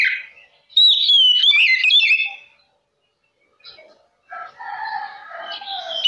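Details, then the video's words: Lure song of an oriental magpie-robin used to provoke others. A loud burst of intricate whistles lasts about two seconds; after silence come lower, harsher phrases. "Kacer Lain Pasti Langsung Konslet Mendengar Suara Pancingan Kacer Gacor Ini"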